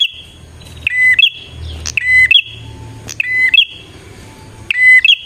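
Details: Lure song of a bar-winged prinia meant to attract wild birds: a steady whistle then a rising hoarse trailing note, repeated four times at uneven intervals over a low background hum.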